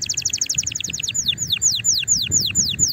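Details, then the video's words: Excited canary song meant to encourage other canaries to sing, opening with a very fast run of repeated downslurred notes that slows into clear, evenly spaced descending whistles. "تغريد طائر الكناري هائج نار , لتحفيز على الغناء"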